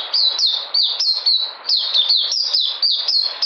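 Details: Puteh white-eye on 13 February 2020, noted as coming back in energy: lively run of high, sweet downslurred chirps in rapid succession, about three each second, with a short dip in volume midway.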